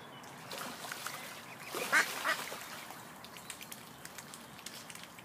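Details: Mute swan family with an ill cygnet peeping: two short, thin high notes close together midway, over faint outdoor background noise.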